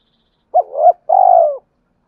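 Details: Spotted dove male cooing both to provoke a fight and to call a mate; a looping two-part coo rising at its end, then a long pulsed, gently falling coo lasting about half a second, in a quiet setting.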